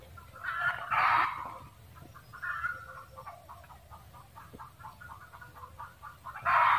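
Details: Red junglefowl cackling: harsh bursts near the start and end, with a run of short clipped notes repeated rapidly between them, over a low rumbling background.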